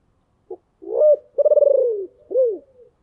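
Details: Spotted dove acting as a decoy to draw in wild birds, with a deep voice: a short tap-like note, a rising coo, a long throbbing descending coo, then one arched closing coo.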